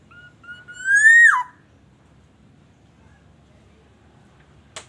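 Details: A single loud, liquid black-naped oriole whistle from Aceh, used as a lure for other orioles, rises steadily and drops steeply, then quiet follows with a faint click at the end.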